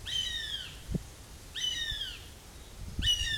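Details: Northern goshawk fledgling near the nest giving three loud, wailing calls at regular intervals of about 1.5 seconds, each a harmonic whine sliding gently downward, with soft knocks between calls.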